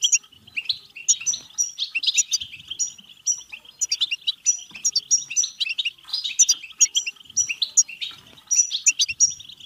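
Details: European goldfinch in 'betbeta' song, aimed at stirring singing, mating and excitement. A continuous stream of quick liquid twitters and high ringing notes runs over a persistent trilled background.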